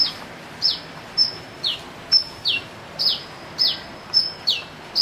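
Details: Chick-like strange calls of a sunbird: quick, piercing high notes with a falling tail, about eight in five seconds at an even pace, with continuous background hiss.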